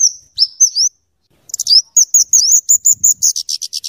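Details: Kemade, or scarlet-headed flowerpecker, in lively song meant for luring and tutoring birds. A few high rising whistled chips, a short pause, then a rapid, tightly packed chatter of sharp notes that speeds up toward the end.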